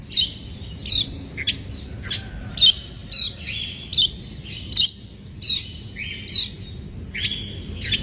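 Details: White-rumped shama in breeding condition, song used to provoke rival birds: sharp, high repeated whistles and harsh chattering notes, bursts roughly every half second to second, with a low background hum.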